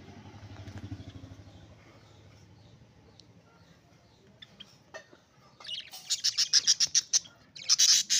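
Budgerigar giving rapid, scratchy high chirps in quick bursts after a low engine-like rumble.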